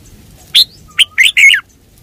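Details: Red-whiskered bulbul song phrase: a sharp opening note, a brief pause, then a quick run of three bright, warbling whistled notes ending with a downward slur.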